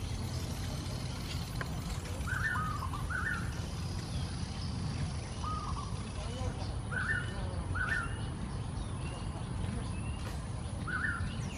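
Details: Wild golden-backed weavers in a flock nest building in the early morning in trees in the middle of a pond in Singapore, giving raucous calls: short chattering notes scattered through the clip over a steady low rumble of background noise.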